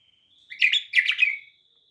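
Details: Bulbul in a quiet alley gives a short bright warbled phrase of two chirpy, bubbling bursts, led in by a faint thin whistle; no other sounds.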